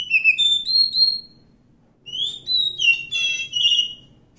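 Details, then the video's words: Wild Oriental magpie-robin (kacer hutan) delivering loud clear whistled song: a phrase of sliding notes ends, then after a pause a longer phrase of varied whistles and quick trills follows; low background hum. "suara asli kacer hutan"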